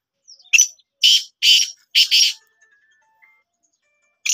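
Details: Pet black francolin calling during training: a series of five harsh, rasping bursts over about two seconds, spaced roughly half a second apart, then a pause and another rasp starting at the end; quiet background.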